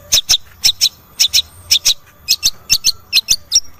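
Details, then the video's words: Long-tailed shrike call, used to prompt a shrike that is reluctant to sing, giving harsh, high, scratchy notes in quick doubled pairs, about two pairs a second, over a faint steady hum. "CENDET macet susah bunyi miyik"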